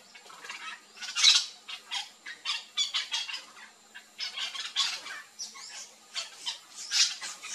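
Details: A flock of yellow-chevroned parakeets feeding on fruit in a Brazilian backyard gives shrill, scratchy screeches and chatter, many birds calling over each other in quick irregular bursts.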